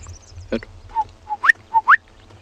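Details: Gorgeous Bushshrike at Tswalu Kalahari Reserve, South Africa, on a 9 July 2020 sunrise drive, giving its distinctive clear whistled notes in pairs: a level, hollow note then a quick upslurred whistle, repeated twice; a brief low knock earlier.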